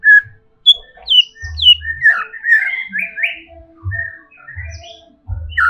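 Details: Agitated greater green leafbird singing a quick, varied run of clear whistled and slurred notes, some rising, some falling, with short buzzy phrases between them. Dull low thumps come at intervals.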